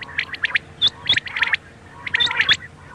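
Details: Quail calling, for night use: two short clusters of bright chirps and clipped squawks with a pause between, several birds overlapping, over a faint low hum.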